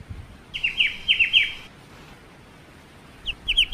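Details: Black-winged starling song: one phrase of five rapid, ringing, down-slurred notes, a long pause, then a shorter burst of similar sharp chirps.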